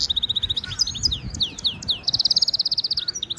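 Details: Goldfinch mule hybrid giving its stimulation song for training: a run of swooping high slurred notes, then a fast, even, buzzy trill of rapid repeated notes, and a last few downslurs.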